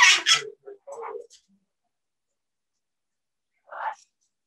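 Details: Two parrots at a bird safehouse, heard live, appear to use English words like "Are you ok?" and "Are you hungry?" toward each other; short harsh speech-like bursts and squawks in the first second and a half, then a lone syllable near the end.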